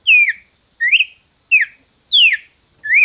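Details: Red-crested cardinal kept by a Brazilian breeder sings rich, loud whistles. Five slurred notes alternate between downward and upward sweeps at a brisk, even tempo against silence.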